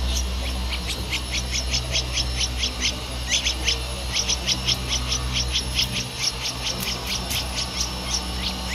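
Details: A 13-day-old Streak-eared Bulbul (Pycnonotus conradi) nestling in Ubon Ratchathani, Thailand, 15 April 2023, gives sharp, high begging chirps about three a second over a steady low hum.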